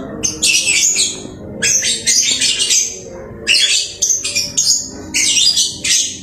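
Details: Pet lovebird chirping diligently, giving loud rapid clusters of scratchy, high twitters and squawks in irregular bursts roughly a second long, with short quiet gaps between them.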